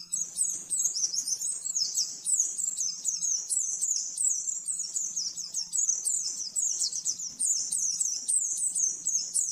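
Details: Oriental white-eye 'nembak-nembak' master song for training caged birds: continuous, evenly paced high twitters, each a quick falling flourish, repeated without pause, with a soft low hum in the background.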